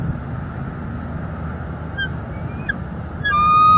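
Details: Female bald eagle at a northeast Florida nest, live cam recording from December 2021, calling as the male adds sticks. Faint thin peeps lead into a louder high, stuttering whistled call at the end, over background hum.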